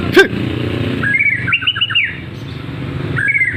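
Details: White-rumped shama in full song, a clicking note, then a whistled phrase with a rapid series of falling notes, repeated briefly near the end, over a constant low hum.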